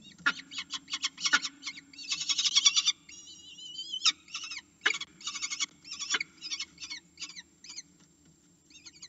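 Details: Falcon calling loudly at its nest to be fed, heard through a camera: fast strings of harsh, ringing notes, a dense chattering burst, then rising whistled slurs and scattered calls over a faint hum.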